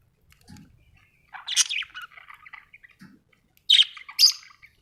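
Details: Happy budgerigar chattering, with a loud harsh chirp followed by softer twittering notes, a pause, then two sharp squawky chirps.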